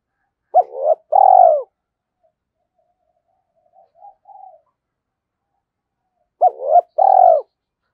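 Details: Spotted dove coo meant as a lure call: a sharp double note and a long rolling coo, repeated after a six-second pause filled by a few faint, soft coos.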